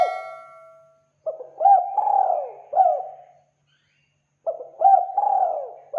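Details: Spotted dove lure call used to attract other doves: a long tone, then two phrases of low hooting coos, each a short note followed by a rising-falling drawn-out coo, separated by about a second of silence.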